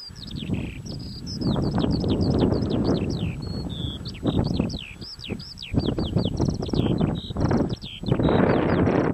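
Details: Eurasian skylark at Adderstonlee near Hawick pouring out a loud, unbroken song of rapid buzzy trills and sliding whistles, roughly three to four notes a second, over strong gusting wind rumble.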